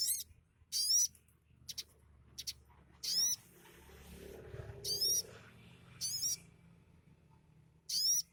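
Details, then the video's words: Sunbird singing, its song said to carry imitations of sparrows and prinias; bright, very high notes with quick wavering upward sweeps, delivered in short bursts separated by gaps of about a second. "Burung sogok ontongku yang kicaunya isian seperti gereja,prenjak lumut/cieng dll"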